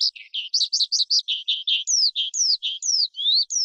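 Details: Short burst of forest skylark song, as used by keepers to rouse wild birds and train young birds: quick high chirps and lower buzzy notes, then long clear downslurred whistles, each about a third of a second.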